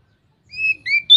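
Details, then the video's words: Oriental magpie-robin (kacer) in the ngeplong song style: two clear, sustained whistled notes, the second lower and slightly rising, then a sharp bright note cut off at the end. The background is quiet. "suara burung KACER NGEPLONG ini bikin Kacer lain langsung ikut ngeplong"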